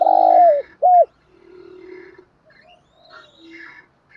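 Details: Decoy spotted dove used daily to provoke wild doves, giving a 'thúc gù' coo in a set pattern. Two loud hollow coos open the clip, the first longer and falling, the second short and arched, then only faint background sounds.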